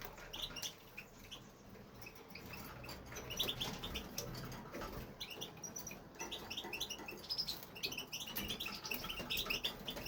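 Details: Male European goldfinch kept in a home aviary, singing nonstop once started; scattered high tinkling twitters and chirps spread across the clip over a low background rumble and faint rustling.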